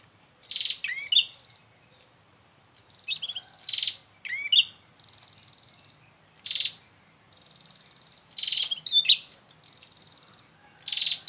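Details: Bar-winged prinia calls used as a lure for trapping: short, loud, buzzy bursts high in pitch, often doubled, coming roughly every one to two seconds. Each burst trails into a thin, level, drawn-out tone, and quiet pauses separate them.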